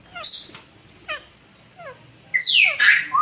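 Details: Baby Alexandrine parakeet under care at a Sunday market in Lalukhet: short falling whistled chirps spaced about half a second apart, then loud shrill screeches that sweep downward.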